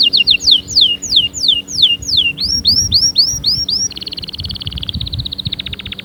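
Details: Singing canary, meant to stimulate other canaries: quick repeated sweeping whistles, then slower looping down-curved notes, followed by a soft rapid rolling trill that drops a step lower, with faint low background noise.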